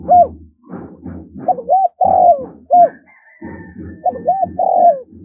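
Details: Spotted dove cooing on the lunar new year's first day, its phrase of quick paired notes, a drawn-out falling coo and a short end note heard twice over a steady low rhythmic thumping background.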